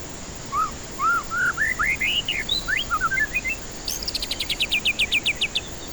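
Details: White-rumped shama song as a lure for stressed birds that stay quiet: a lively run of varied looping whistles climbing in pitch, followed by a fast, even series of about a dozen sharp repeated notes.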